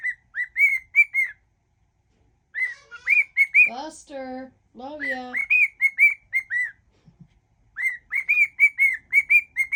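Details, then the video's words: Domestic cockatiel whistling a song mash-up; tuneful whistled notes in phrases, interrupted midway by lower harmonic sounds resembling voice, then more whistled notes resume. "whistling cockatiel"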